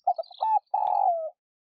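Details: Spotted dove, a lure bird's voice used to stimulate caged doves to call, giving quick short cooing notes then a long, husky, slightly descending coo, in a quiet setting.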